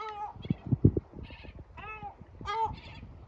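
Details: Male yellow-legged gull scolding his chicks with loud calls until they go into shelter; three nasal, laughing-edged cries interspersed with higher thin chick squeaks and soft thumps.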